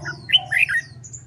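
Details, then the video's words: Red-whiskered bulbul during competitive-song training for newly caught birds: a brief, slightly harsh warbled burst of a few chirping notes, with a faint high tone afterward. "LUYỆN CHÀO MÀO HÓT ĐẤU/ BỔI NHANH MỞ MỎ SỔ GIỌNG/ CHÀO MÀO HÓT VUI MỖI NGÀY"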